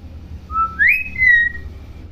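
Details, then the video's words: Tame talking common hill myna: a clear, loud whistled phrase, a short level note, then a sharp upward glide and a long steady high tone, with quiet background. "BURUNG BEO JINAK PINTAR NGOMONG"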